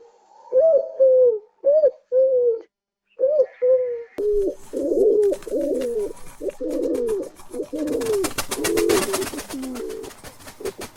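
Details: Pigeons giving the deep, muffled, rhythmic rolling coos of their group call, sounds meant to attract other pigeons; separate low coos at first, then a dense overlapping chorus with rapid clicking like many beaks pecking the ground.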